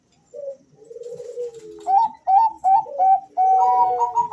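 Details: Two male zebra doves answering each other, used as a lure to make other doves call: a soft low coo and a descending trill, then clipped, bright repeated notes overlapping with a sustained warbling coo.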